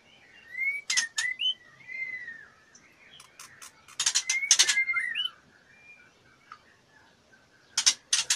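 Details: Soft slurred whistles from a female white-rumped shama in breeding condition, fluttering and soliciting mating, are broken by loud dry clicking rattles in short bursts, over faint background hiss.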